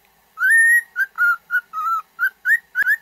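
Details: Cockatiel whistled song, played for training a pet cockatiel to sing: a long level whistle followed by seven short clear whistled notes, some slightly rising, in quick irregular succession.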